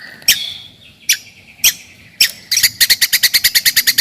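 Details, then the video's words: White-rumped shama song used to provoke rivals and test young birds' mental toughness: a few sharp separate notes, then a fast run of evenly repeated high chipping notes. "KICAUAN TERBAIK,,PASTI AMPUH,, MEMANCING/MENAIKAN EMOSI LAWAN."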